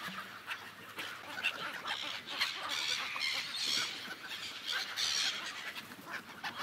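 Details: A gull flock on ice over a lake, giving a steady, rough chatter of short overlapping cries with louder bursts every second or so, plus a low brief honk near the start.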